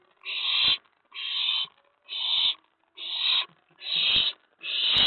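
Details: Excited owlet in a nest box at night, 19 May 2017, reacting to an owl arriving on the tray after a mouse delivery; six long, breathy rasping hisses, each about half a second, with short gaps.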